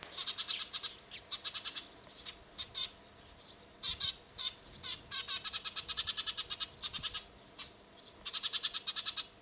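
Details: At a nest on a factory roof, Eurasian tree sparrows keep up busy, scratchy chirping, dense rapid runs of short notes, some stretches almost continuous, separated by brief pauses.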